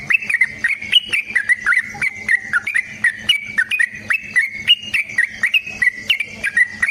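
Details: Yellow-vented bulbul pouring out a long fighting song meant to draw other bulbuls into singing: a continuous chain of bubbly, warbled notes, about three per second, rising and falling in pitch.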